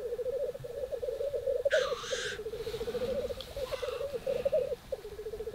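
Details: Male black grouse at a lek in northern Sweden in April 2021 bubble in a steady, pulsing coo that runs almost without pause, broken once by a harsh hissing sneeze near two seconds. Bubbling is often the first sound heard at the lek.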